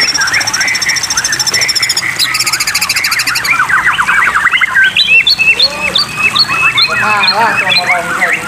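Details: Loud, varied white-rumped shama singing for a water-therapy recording meant to get caged birds singing: a long rapid mechanical rattle of high notes, then cascades of quick upslurred and downslurred whistles in dense runs, with steady water trickle behind.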